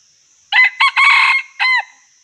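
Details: Red junglefowl, wild, with trapping mentioned. A sharp crow opens with two quick notes and stretches into a long raspy phrase. It closes on a falling note. A continuous high insect-like drone runs underneath.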